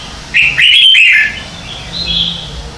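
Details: Caged-bird training recording from 2019 of red-whiskered bulbul competitive morning song: a bright, loud, chattering warble lasting under a second, followed by a quieter high whistled note.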